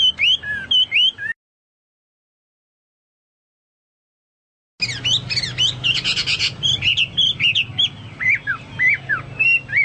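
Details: Chinese hwamei in song, compared with Papuan or golden bulbul: a short run of whistles, a silent break, then dense buzzy bursts and varied slurred whistled notes.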